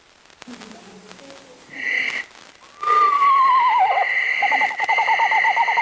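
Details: Eastern Screech Owl call played from a tape during an owl talk to an audience. A man speaks briefly, then a mournful wavering whinny slides downward and is followed by a quick trill, over a steady high electronic tone.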